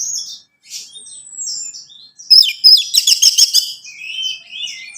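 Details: Orange-headed thrush singing, played to prompt a caged bird: soft high whistles at first, then a loud rapid rattling trill and warbled notes sliding downward.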